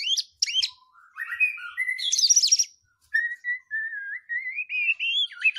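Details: White-rumped shama song used to provoke other birds: quick high notes, a climbing whistled run and a dense scratchy burst, then a long thin whistled phrase of wavering notes slowly rising in pitch.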